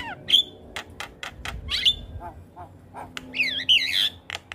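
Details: Javan myna singing to train young birds: scattered sharp clicks and short harsh notes, a few whistled slurs, ending in a loud wavering whistled phrase mixed with grating squawks.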